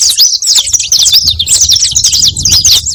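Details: Continuous high twittering of a saffron finch (canário-da-terra), a dense, unbroken run of quick chirps and thin slurred notes, played to attract other canaries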